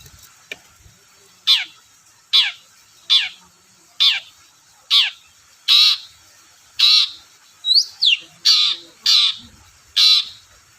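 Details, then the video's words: Long-tailed shrike, played to provoke reluctant shrikes to sing: a steady series of about a dozen raspy, buzzy calls, each under a second apart, with a brief pair of high squeaks midway. "BURUNG CENDET GACOR DORR PANCINGAN AMPUH CENDET SUSAH BUNYI"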